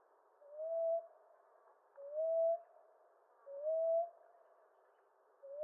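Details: Common ground dove (Columbina passerina) giving soft, low, rising coos, each a short upward-sliding note, repeated about every one and a half seconds; four coos, with a quiet, clean background.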